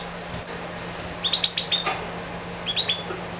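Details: Young canary chick, hatched late December, begging as its mother feeds it: quick bursts of thin, high chirps, three or four in a rush, with a sharper squeak at the start, over a low steady hum.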